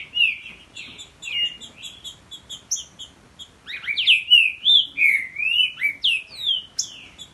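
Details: Captive male Green-winged Saltator and his young son singing against each other in a song duel: loud, overlapping whistled phrases, slurred rising and falling notes, with rapid repeated chips between phrases.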